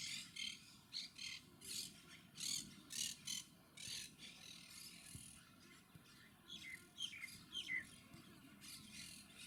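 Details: Monk parakeets (Myiopsitta monachus) give harsh, grating squawks in quick bursts of about two per second, then some shriller down-sliding chirps, over a steady low hum.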